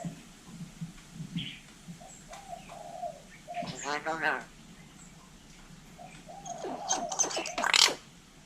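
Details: Speech-imitating hill myna in Vietnam gives a nasal, voice-like harmonic phrase, then whistles and a loud, rough, squawking run of syllables. A person talks around it.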